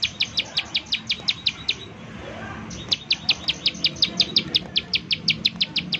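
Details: Bar-winged prinia lure call meant to prompt other prinias to sing: quick high chirps in a fast series, a brief gap near two seconds, then the run resumes, with soft background noise.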